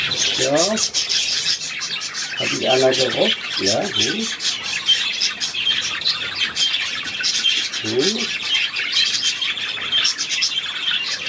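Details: Continuous high budgerigar warbling, recorded 3 April 2017, with several separate lower, harmonic voice-like bursts rising over it at intervals.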